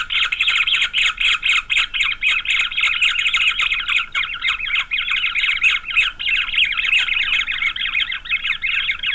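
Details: Nest of green wood hoopoe chicks in Pretoria, South Africa, November 9, 2023; continuous harsh squawking chorus from several chicks, a raspy rapid pulsing about four times per second that never pauses for nine seconds.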